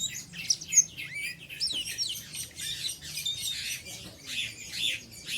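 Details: An untrained oriental white-eye delivers busy, high chattering in the ngeriwik style, quick slurred chirps and squeaky notes pouring out continuously.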